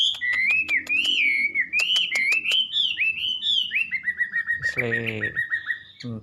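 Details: Wambi pouring out a fluent run of wavy, looping whistled phrases over a steady ticking series, then a quicker string of short falling notes. A man's voice cuts in near the end.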